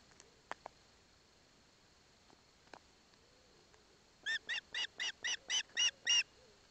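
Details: Wild osprey chick at a nest in Barlinecka Forest, Poland, receiving a fish from its father with its mother present; a run of eight loud, harsh, evenly spaced chirping notes in about two seconds after quiet, with a few faint ticks before.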